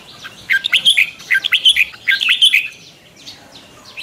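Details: Morning practice song of a red-whiskered bulbul with a twisting voice; a two-second run of loud, looping whistled notes, then a quieter tail of faint chirps.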